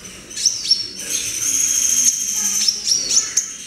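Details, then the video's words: Young brown-throated sunbird, a kept bird taken from a group holding, learning to sing: a run of high thin chirps and quick notes over a sustained high whistled tone, with brief upward flicks repeated irregularly. "Trotolan Konin Dada coklat belajar bunyi"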